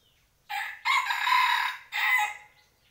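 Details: A rooster at home gives a loud, raucous crow in three connected parts: a short opening note, a long strained middle, and a final rising burst after a brief break. The surroundings are quiet.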